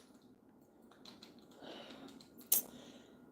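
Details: Soft keyboard typing and clicks in a small quiet room, ending in a sharp tap; no animal is heard.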